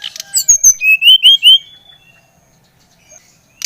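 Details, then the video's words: Brown-chested jungle flycatcher, Bali type, song meant to provoke another bird to sing: a brisk burst of rising, slurred whistled notes lasting about a second, followed by near silence. "Kicauan SRDC Bali Gacor Merangsang srdc Bahan agar cepat Ngeplong Gacor"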